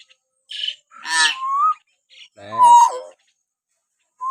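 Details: Common hill myna whistles used as training audio to provoke pet mynas into singing: short harmonic bursts, then a clear whistle held and rising slightly, a pause, and a louder harmonic call with a bright whistled middle.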